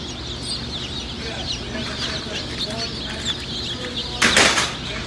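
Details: Easter Egger chicks peeping together, a dense chorus of high, short, downward-slurred peeps overlapping continuously, with a brief loud rustling burst near the end.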